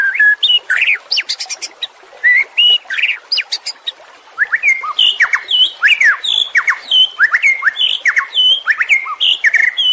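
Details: White-rumped shama singing as training audio for caged birds: dense varied song mixing sharp high ticks, buzzy bursts and rapid downslurred whistles in a busy continuous stream.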